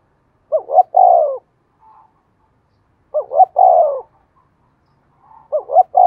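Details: Spotted dove used as a decoy, cooing to make other birds answer: three-part phrases, two brief rising hoots then a sustained falling note, repeated every two to three seconds.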